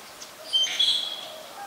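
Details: Black-collared starling recorded in Ubon Ratchathani, Thailand, 25 December 2019, making a single short harsh squawk with a thin whistled tone running through it.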